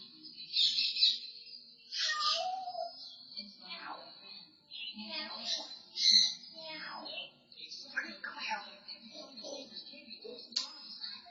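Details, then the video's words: Pet African grey parrot indoors, recorded on a security camera, imitating a cat's meow, a pig's snort and a whistle. It gives a run of nasal, wavering meow-like calls that fall in pitch, with a steady high electronic whine behind. "BOTTON THE AFRICAN GREY CAUGHT DOING SOUND EFFECTS & TALKING ON SECURITY CAM"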